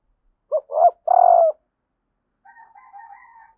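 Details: Calling female spotted dove stimulating males: a clipped note, a fuller rolling note and a long sustained coo, followed by fainter thin, slightly higher tonal sounds in the background.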